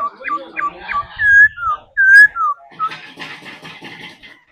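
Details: Trained laughingthrush kept for song practice, singing a series of clear whistled notes, short rising and falling slurs and a few longer descending whistles, ending in a burst of harsher chattering phrases.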